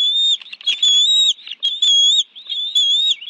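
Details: At a Washington, D.C. nest in the National Arboretum, 11 June 2017, early afternoon, bald eagle adults deliver fish and feed with two young; piercing whistled notes, slightly wavering, repeat roughly every second with brief gaps.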